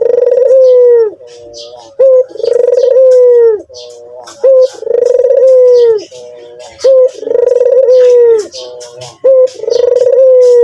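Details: Loud, steady cooing from a white turtle dove: a clipped lead note, then a long throaty purr falling at the end, repeated four times at a regular pace amid faint chirps.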